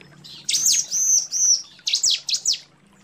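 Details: Female bar-winged prinia calling the male: a short high chirp, then two longer arched whistles, then three quick sharp high notes over a low steady hum.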